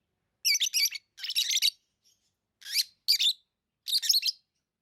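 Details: Lovebirds chirping in tame captivity: rapid stuttering bursts of shrill, scratchy notes, each burst lasting about half a second, five bursts close together.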